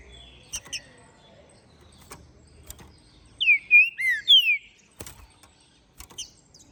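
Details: Captive-bred, ringed green-winged saltator from Minas Gerais singing after the moult; four bold, sliding whistled notes dropping in pitch mid-clip, with faint clicks and a soft chip near the end.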